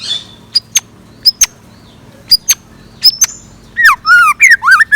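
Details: Morning song of a scarlet minivet kept as a decoy: thin, very high, sharp chips spaced apart, then a loud cluster of swooping down-slurred whistles at the end.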